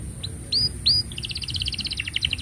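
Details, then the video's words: Canary song for training young canaries, quieter here: a few clear upslurred whistles followed by a fast run of bright repeated chirps, against a background hum. "Kenari Gacor Panjang Ini Bagus Untuk Masteran Kenari Paud Dan Pancingan Kenari Bisu"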